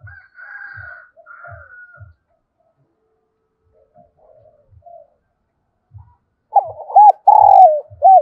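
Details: Spotted dove decoy cooing in the 'thổ' voice style, meant to lure wild doves. Faint thin calls from another bird come first. A single loud phrase near the end has quick hooked notes and a long, slightly falling coo, over low dull thumps.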